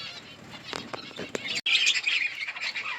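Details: Budgerigars in a colony: brief rustling and flapping at first, then a burst of warbled, trilling chatter from several birds over a steady background of twittering.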